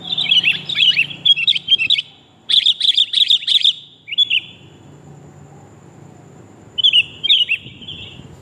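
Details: Female sooty-headed bulbul calling the male, a recording used to lure birds: bursts of bright, bubbly chirps repeated in quick runs, a pause, then a few more chirps near the end; a faint low hum underneath.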